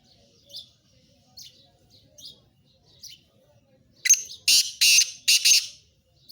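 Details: ['Black francolin (kala tetar) calling: a few soft, high chirps, then a loud, harsh, grating run of four broadband notes, the last ones longest and evenly spaced.']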